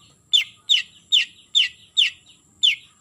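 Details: Long-tailed shrike calling a rival, giving harsh downslurred notes repeated about every third of a second, each sharp at onset and sliding lower, over a constant high-pitched whine.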